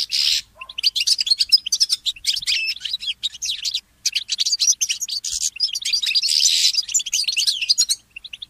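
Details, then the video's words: Morning song of a goldfinch mule: a loud opening burst, then long rambling phrases of rapid twitters, slurred whistles and buzzy trills, ending abruptly before a few soft final notes. "The inspiring Motif of the Mule Goldfinch"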